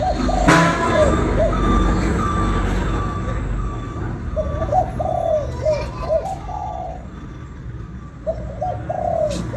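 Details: Spotted dove in Vietnam calling: low, breathy coos in grouped phrases, a longer sustained note within each group, with a rumbling background and a few sharp knocks.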